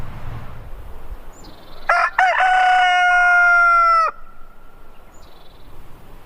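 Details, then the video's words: Rooster crowing once: a few harsh opening notes, then a long, steady, harmonic-rich held note lasting about two seconds that ends abruptly; quiet background otherwise. "Rooster Sound"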